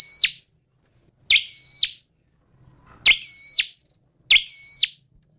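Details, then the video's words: Flowerpecker singing a repeated phrase: a sharp chip sliding into a high, flat, steady whistle that ends in a quick downward flick, given four times roughly every one and a half seconds with silence between. "Tiếng chim Sâu Đầu Đỏ hót chuẩn"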